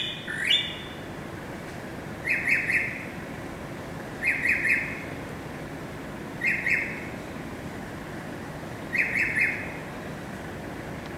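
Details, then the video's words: Greater racket-tailed drongo song, 7 February 2018: a rising whistle, then short clusters of three clipped notes repeated about every two seconds. "Singing Racket Tailed Drongo"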